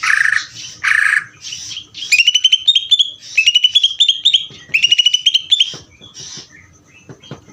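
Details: Greater green leafbird singing ngeder: two rasping, buzzy notes, then quick bursts of bright, sharp twittering phrases in rapid succession, fading into scattered faint clicks.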